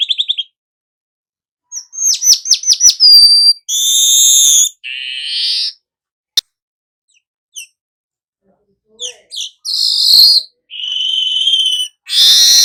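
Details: Burung manyar, a weaver, singing in the 'nyerut' style: scattered high chips, a quick ticking series, then several loud hissing, sizzling bursts separated by pauses.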